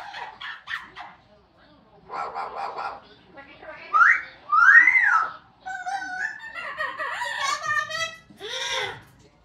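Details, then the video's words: Amazon parrots working through a mimicked repertoire of opera, police sirens and Pac-Man sounds: bursts of squawky chatter, then bright rising-falling whistled swoops and wavering siren-like tones, separated by short pauses. "Amazon parrots singing, talking and making noise"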